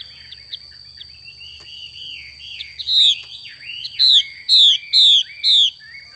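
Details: Female Chinese hwamei giving its xùy call: soft twittering at first, then four loud, harsh, downslurred notes about half a second apart, each with a bright upper overtone. A steady high whine runs throughout.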